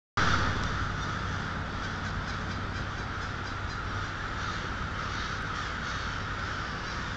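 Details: Crows at twilight on 1/6/12 at Polish Hill: a dense, unbroken din of many overlapping caws that starts abruptly and holds steady to the end.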